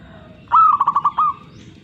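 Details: A single zebra dove phrase: a quick run of soft, bubbling trilled coos ending on a slightly longer note, with faint low noise in the background.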